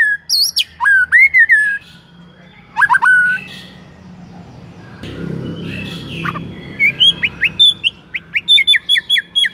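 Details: White-rumped shama song played to trigger other shamas to sing: loud whistled notes and sharp upslurred phrases in bursts, a pause with low rumbling background, then a rapid run of short repeated whistles.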